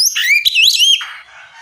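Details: Oriental magpie-robin singing openly to provoke rivals into replying; a high descending whistle followed by a warbled, slurring phrase, ending in a softer scratchy tail.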